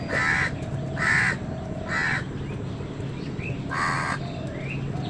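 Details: Crows competing with wild birds for food call in a series of four harsh caws, roughly one per second, while thin rising whistles of smaller birds sound between them.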